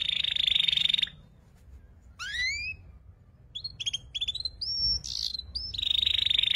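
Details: Young canary learning to sing in the twittering ngeriwik style: a long buzzy trill, silence, then upslurred whistles and short rising notes, and the dense trill again at the end.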